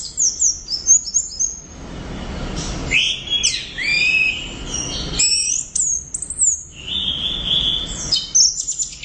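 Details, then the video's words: Rapid opening chips give way to long, complex whistled phrases from an Orange-headed thrush singing loudly and steadily, rich in swooping and warbled high notes. "ANIS Merah Gacor Volume Keras Teler Mantap"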